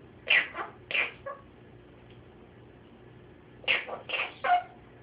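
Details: A pet monk parakeet indoors, while its owner offers it cashews, gives harsh, raspy squawks in two quick bursts of two or three notes each, separated by a few seconds of quiet indoor hush.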